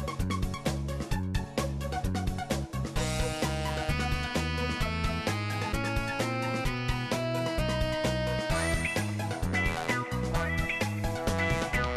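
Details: Lively instrumental music with a bouncy, swing-like beat plays throughout, with no animal sounds heard.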